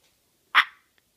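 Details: A pet princess parrot, spoken to as a boy by its owner indoors, gives one short, harsh, grating squawk lasting about a quarter second, with quiet before and after.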